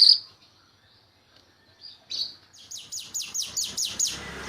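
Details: Jalak Rio-Rio myna singing in a lively, full, varied style, kept as a master bird for songbirds to copy: a thin high whistle, a pause, then a fast series of harsh, high, downslurred notes, about nine in a row.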